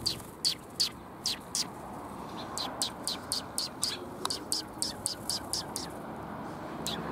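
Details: Sparrows greeting someone along the way on 27 April 2021, described as bold: a steady series of short sharp chirps, roughly two per second, with faint background hum.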